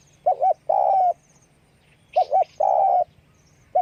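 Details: Spotted dove calling with wing flapping. Twice it gives a wavering doubled coo, then a long level coo. A brief higher rustle sits with the second doubled note. Close, with a soft low hum.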